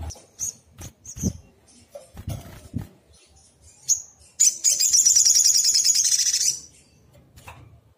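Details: Agitated black sunbird, locally sogon, singing as a lure to make other birds respond: scattered high thin chips and a few low thuds, then a sustained very high, rapid trilled burst of about two seconds.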